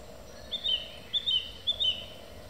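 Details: A song thrush singing in the evening repeats one short, high, two-note whistled phrase three times, about every half second, over a faint steady background hiss.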